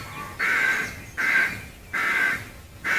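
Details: Rook colony in trees near Gaia House in Devon, recorded from the footpath outside the grounds; four loud, rough caws, each about half a second long, spaced evenly.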